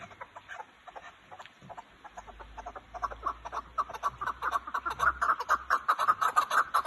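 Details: Chukar partridges from Kazakhstan start with soft, scattered clucks that swell into a loud, fast, regular chuck series near the end.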